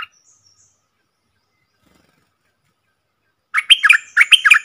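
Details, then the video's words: Red-whiskered bulbul, a wild bird coming to a caged decoy bird, breaks a long silence with a quick run of loud, bubbly whistled notes repeated in two rapid phrases. "เสียงนกกรงดอกแตงEp.56Birds sounds"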